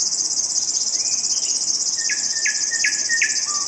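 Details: A river warbler gives a steady, high, rapidly pulsing buzz like a sewing machine, while another bird adds short, sharp upslurred chirps about every half second; Denisovo, Pronsky District, Ryazan Oblast, Russia, May 2021.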